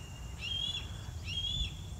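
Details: A young Red-tailed Hawk in trees on a farm in August heat, recently pushed from the nest by its parents, gives two thin, high whistled squeals, begging for its parents as it has for weeks, over a low outdoor rumble.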